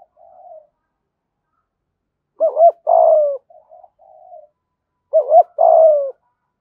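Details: Spotted dove cooing in a decoy voice used to lure wild doves: soft low murmur, then two phrases of a quick double note and a long falling coo, repeated about every three seconds.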